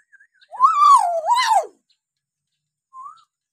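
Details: Hill myna, from a training recording for mynas that have stopped calling: one loud, full whistle rising, dipping and rising again with rich overtones, followed after a pause by a soft short upslurred whistle.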